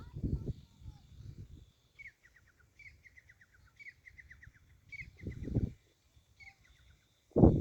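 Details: Partridge (teetar) calling in a fighting and trapping setting, outdoors. A short series of thin, descending chirps repeats roughly every second. Low human voices rumble at the start and middle, and a loud thump comes at the end.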